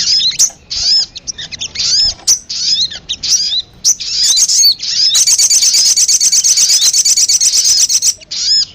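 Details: Sogon (sunbird) luring sound: arched high whistled notes and chirps repeated in quick phrases, followed by a long rapid buzzy trill, then renewed chirps.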